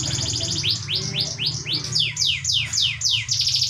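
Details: Canary singing, used to provoke other canaries to answer: a series of about ten bright, high, sweeping downslurred notes, roughly four per second, with a low hum underneath.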